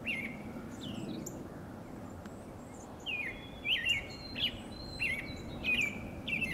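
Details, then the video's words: An American robin interacting with another robin, body language possibly flirtatious or cautious, gives bright, high chirps and short whistled slurs in uneven bursts, about one or two a second, over a low steady rumble. "Robin vocalizing and flirting"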